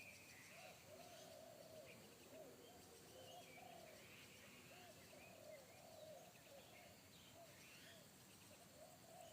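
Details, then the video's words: Wild spotted dove in forest with a big, deep bass 'kuk satu' voice that made a decoy dove in training shy away; low hollow coos repeat in overlapping bursts throughout, with faint higher chirps above. "SUARA TEKUKUR INI‼️SUARA BESAR NGEBASS"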